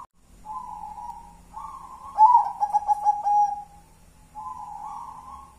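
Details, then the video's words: Cooing song from a local wild-type zebra dove, ngelaras style with one-and-a-half engkel pattern: a low opening coo, then a louder pulsed, trilling phrase, a short silence and a final rolling coo. "Suara perkutut adem di hati ngelaras 1 stgh engkel"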